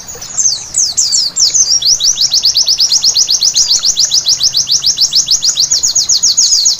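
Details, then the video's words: White-eye singing at night for song therapy: a few varied, scratchy high phrases lead into a long, rapid, regular series of thin down-slurred notes. "Terapi Pleci Malam Hari Bikin Gacor seketika!!!"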